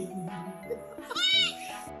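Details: A female pet cockatoo gives a loud, harsh, bleating shout lasting about a third of a second over steady music; she shouts and sings for attention when filmed or when the family claps at parties, and grows happier when complimented.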